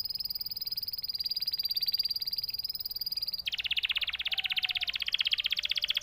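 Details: Canary holding a thin, high, steady whistled trill, then abruptly dropping into a louder, lower, rattling trill of quick pulses that continues to the end.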